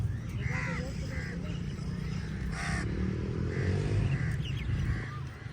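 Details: Many crows squabbling with eagles over a meal, repeated harsh nasal caws rising and falling over a constant low engine-like hum.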